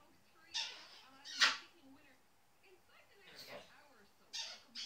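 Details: A male African grey parrot chatting to himself in short, speech-like bursts with scratchy, breathy syllables and one brief whistled squeak, spaced over a few seconds in a quiet room.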